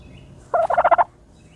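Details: A single short burst of about six fast pulsed notes from a turkey dust bathing.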